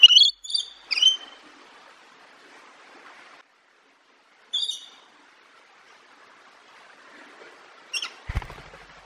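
A parrot gives three brief bursts of high, squeaky calls spaced a few seconds apart, with a soft thump near the end.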